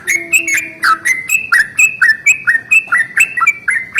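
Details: Yellow-vented bulbul in long rolling morning song that prompts other bulbuls to sing: a brisk, even sequence of bubbling chirps, roughly two per second, each sliding downward, with a faint low tone at the start.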